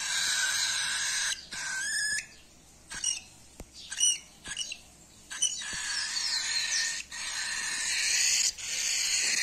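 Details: Hungry cockatiel chick being hand-fed, begging with harsh rasping bursts: a long burst, several short choppy ones around the middle, then sustained raspy calling to the end, with occasional clicks.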